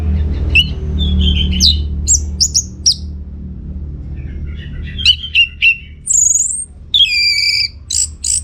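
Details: Orange-headed thrush singing as a lure for other birds to respond: a varied sequence of sharp whistled phrases and chirps, some high and piercing, others lower and warbled, delivered in short clusters separated by pauses.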